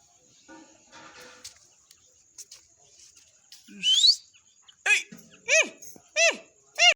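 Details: Grey francolin: a thin rising squeal, then loud clear notes, each arching up and dropping, repeated about every 0.6 seconds over a quiet background.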